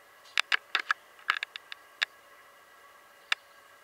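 Hooded Tanager giving sharp, dry chip notes in an irregular burst of about ten, some in quick pairs, then a lone final chip, over a faint steady hiss.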